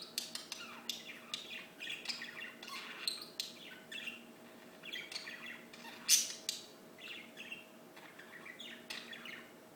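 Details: Sharp, scratchy squawks and clicky chirps from birds, many brief loud bursts with one strong snap near the middle, a low steady hum behind.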